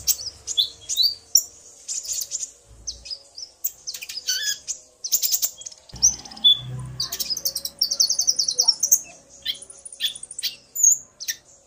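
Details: Common iora male and female calling back and forth, the male stirred by the female's voice: dense, high, twittering chirps and quick whistled notes in irregular bursts, with occasional low rumbling.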